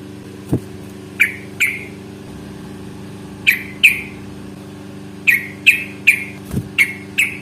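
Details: Fighting calls of a yellow-vented bulbul meant to make other bulbuls answer; sharp chirps in pairs and quick series, with low hum and a couple of thumps.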